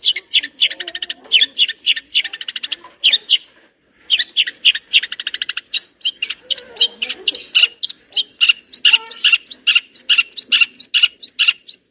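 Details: Long-tailed shrike singing vigorously in a lively, varied song rich in fill notes: dense runs of sharp chirps, rattling buzzy bursts and thin high whistles, delivered in quick rapid-fire phrases with only one brief pause.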